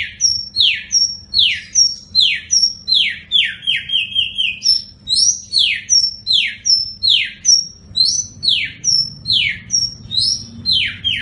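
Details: White-rumped shama song prepared as a master recording for song contests: loud, steep descending whistled sweeps repeated about twice a second, each preceded by a short high note, in a steady rhythmic run.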